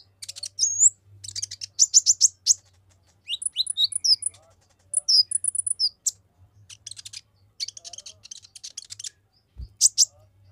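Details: Rapid provoking song of an Olive-backed sunbird aimed at other males: dense high trills and chattering bursts, twisting whistled notes, steady low hum underneath and a single dull knock near the end.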